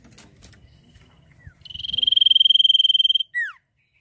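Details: A sirtu in full, lively song: after low background murmur, a long, fast, steady high trill of about twenty notes per second lasts over a second and a half, closed by a brief falling whistle.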